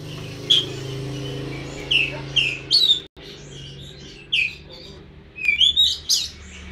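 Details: Oriental magpie-robin uttering scattered clear whistles and chirps, ending in a quick cluster of rising notes, against a constant low droning hum.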